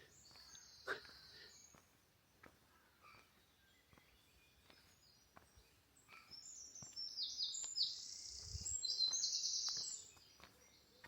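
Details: Great Spotted Woodpecker begging calls heard on a walk around Ventnor, Isle of Wight: thin, high chattering notes repeated rapidly, swelling into dense, louder bursts toward the end, with faint scattered clicks and quiet outdoor background.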